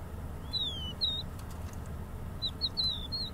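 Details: Crested lark singing: clear, high whistled notes, one long slurred phrase falling in pitch, then a pause and a run of short whistles and a longer descending whistle, over a low rumbling background.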